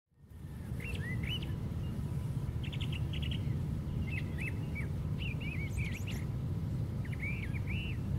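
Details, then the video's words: A brown thrasher singing at the very top of a white pine tree gives a varied run of short, rich phrases, several repeated twice, over a steady low rumble of wind or distant traffic. "Brown Thrasher Singing"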